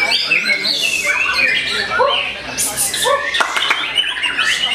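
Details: Fighting back against a rival, a white-rumped shama sings varied slurred whistles, rising sweeps and harsh rasps, with sharp clicks around the middle.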